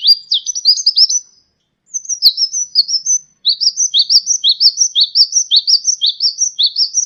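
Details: Kolibri ninja sunbird, a champion singer recorded to tutor cage birds, starts with jerky high twitters and then settles into a rapid, even series of rising chirps, roughly three per second.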